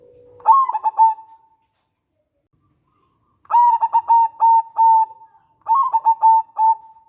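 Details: Local zebra dove cooing, played to draw other zebra doves into calling and for trapping. A soft low tone opens into three phrases of rapid, mellow coo notes, each trailing off into a level hum, separated by silent gaps.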